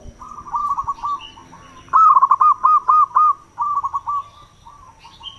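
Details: Local zebra dove song used as a lure for wild doves: rolling, pulsed cooing phrases, one loud bright run of about six quick beats in the middle, framed by softer similar phrases before and after.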